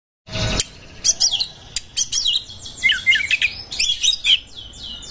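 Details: Oriental magpie-robin in breeding condition, used as a lure for other birds: after a short broadband burst, a rapid, varied run of high whistles, sweeps and chattering notes, delivered in quick bursts.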